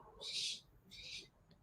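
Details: The owner's barn owls, probably about three birds and described as very noisy, give two harsh, hissing screeches in quick succession, each under half a second long, during a rainy waterfall season.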